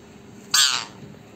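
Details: Angry parrot giving a single harsh, broadband squawk lasting about a third of a second, loud and abrupt against a quiet indoor background with faint steady hum.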